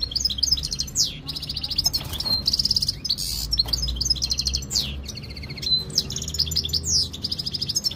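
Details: European goldfinch in mating condition, recorded in Jijel, Algeria, in 2025, singing nonstop for eight seconds: fast liquid twitters, buzzy trills and swooping notes tumbling together, with faint low background rumble.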